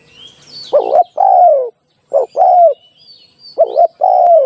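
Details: For luring birds into traps, a spotted dove repeats a two-part call three times: a quick burred note, then a sustained coo falling in pitch, while faint high whistles of other birds sound in between.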